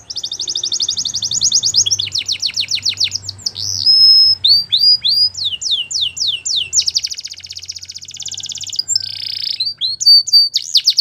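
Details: Belgian canary delivering a powerful training song: long buzzy trills, rapid repeated chips, clear flat whistles and descending swept notes, varied phrases following without pause.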